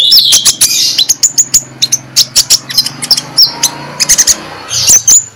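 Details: Morning ngeplong song of an Oriental magpie-robin, played to lure other magpie-robins into singing; bright high whistles and quick clicking bursts follow one another rapidly over a steady low background hum.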